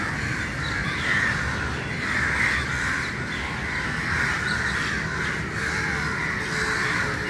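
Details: Early-morning assembly of many crows, their rough caws merging into a constant, dense chorus with a few brief higher notes surfacing over the continuous din.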